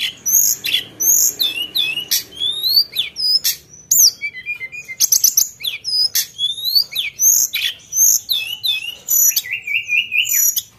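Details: A Sunda bush warbler sings lively and sharp, a dense stream of very high chirps, quick upward and downward slurs and clicks, broken by brief pauses, with one low buzzy trill near the end.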